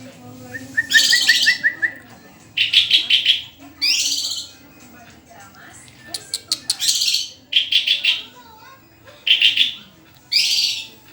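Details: White-rumped shama song of repeated short phrases: rapid chattering trills, clear rising notes and scratchy rasps in quick succession, with brief silences between phrases.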